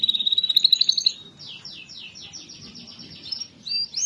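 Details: Canary singing as a lure to prompt lazy canaries into song: a bright rising whistled trill of quick repeated notes, then a softer series of descending slurred notes and a brief chirping finish.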